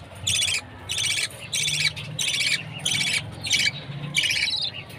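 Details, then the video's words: Chirping of a baby budgerigar at feeding time: harsh, raspy chirps about half a second long, repeated steadily roughly every second or two, over a faint low hum. "Baby budgie's chirping sound, budgie parrot food time"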